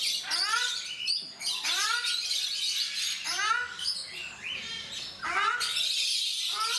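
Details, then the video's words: Ruddy shelducks, also called Brahminy ducks, calling in captivity at Mysore Zoo, India: bursts of stacked, upward-sweeping nasal honks in short runs, over a loud, hissy background of other birds' chatter. "Cute Ruddy Shelducks / Brahminy Ducks Making Sounds At Mysore Zoo"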